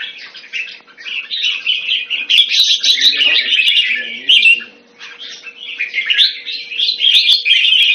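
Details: Red-whiskered bulbul, known in the hobby as jambul, pours out continuous high, tumbling chatter and warbles, easing briefly midway before picking up again.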